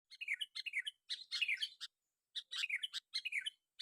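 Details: Sooty-headed bulbul lure call used to attract wild bulbuls: a busy run of bright chirping notes, many dipping and rising, in quick clusters with a short pause near the middle; no other sounds.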